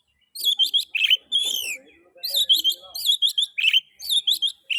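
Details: Oriental magpie-robin song for triggering other magpie-robins to sing: fast sequences of bright whistled and warbled notes in bursts, with a brief quieter stretch of softer chatter in the middle.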